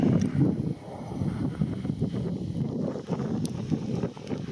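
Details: Gusty wind buffeting the microphone outdoors, with rumbling low noise and no animal sounds.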